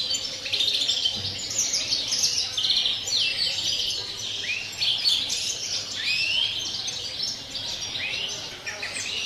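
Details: Greenfinch singing the 'cante puro campero' style on 30 December: a busy, unbroken stream of high twitters, buzzy trills and several quick upward-sweeping notes, over a quiet low rumble.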